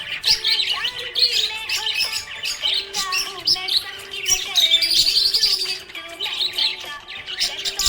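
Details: A contented budgerigar chatters in a continuous, rapid warble of squeaky chirps and clicks, some notes sliding up and down, while a quiet tonal melody holds steady beneath the bird.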